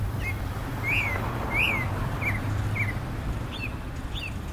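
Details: Clay-colored thrush (yigüirro), Costa Rica's national bird: two louder arched, whining notes that rise then drop, followed by several shorter slurred chips at irregular intervals, with low background hum throughout.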